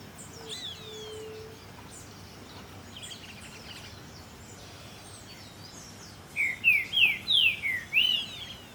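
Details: Green-winged saltator singing in Puerto Iguazú: a loud, quick phrase of about six rich, slurred whistles, each sliding up and down, after fainter chirps from other birds.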